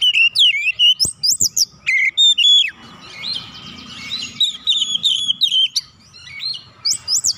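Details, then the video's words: Oriental magpie-robin song played as a lure for other birds: rich whistles, clicks and scratchy notes in quick bursts, with a softer rambling passage midway. "PANCINGAN KACER lelet bunyi langsung gacor nembak rapat"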